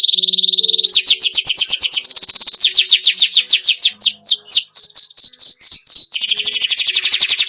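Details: Captive Atlantic canary song played to stimulate other caged birds to sing: a steady high trill, then rapid rising and falling whistled notes and looping slurs, ending in a fast buzzy rolling trill.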